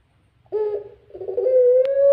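A Barbary dove gives one long, mournful coo, a low hollow tone that wavers and then rises slightly over about two seconds, with a faint click near the end.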